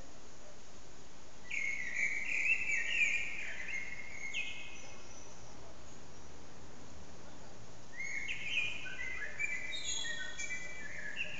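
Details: Loud common blackbird song echoing across a backyard, recorded on an old HTC Desire phone: a rolling, fluty warble with twittery high flourishes, a pause of several seconds, then another warbled phrase, all over a steady noisy background.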